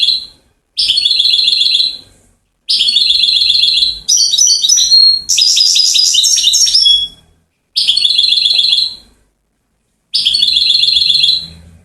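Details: Goldfinch from Settat, Morocco, praised for its series of trills, repeating short phrases of fast, buzzy, high trills, some with tinkling, varied notes, separated by short silences.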